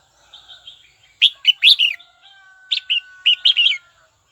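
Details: Red-whiskered bulbul calling a rival: soft chatter first, then two clusters of loud, bright, tumbling chirps, with a faint sustained whistle running underneath.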